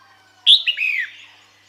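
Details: Calling female red-whiskered bulbul, said to summon males: a single short phrase, a bright piercing opening note followed by two downward-sliding whistles that trail off.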